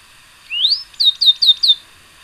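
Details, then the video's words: Song of the Tricolored brushfinch (Atlapetes tricolor): one long whistle rising upward, a short pause, then four quick high notes, each dropping in pitch, delivered in a rapid even series. "O canto do Tico Tico tricolor"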